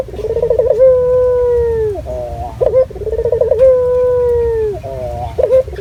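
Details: A local puter dove, used as a lure recording, coos clearly: two full phrases, each a quick burbling tremor and then a long, even, mellow tone dropping at its close, joined by brief croaky notes.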